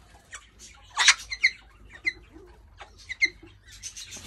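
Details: Major Mitchell's cockatoos, a young female being introduced to a male who lost his mate, giving harsh, scratchy squawks and short screeches in uneven bursts, with a few brief clicks and chatter between calls.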